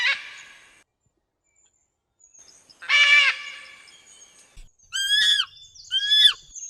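Macaw giving four loud, harsh squawks, the last two more nasal and arched in pitch, spaced about a second apart.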